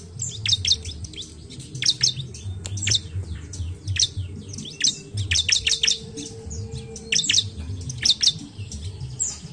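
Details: Bar-winged prinia song used as a lure to get lazy birds singing; quick high-pitched chirps clustered in bursts every second or so, over a low rumbling background hum.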